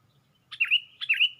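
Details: Sooty-headed bulbul lifting its wings on a branch, recorded as a lure: two loud, bright notes half a second apart, each a quick downward dip rising into a sustained clear whistle.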